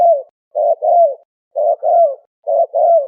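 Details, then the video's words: Malay turtle dove lure call: soft, hollow coos in pairs, a brief note followed by a drawn-out downslurred note, three pairs at roughly one-second spacing in clean, quiet surroundings. "turtle dove sound effect"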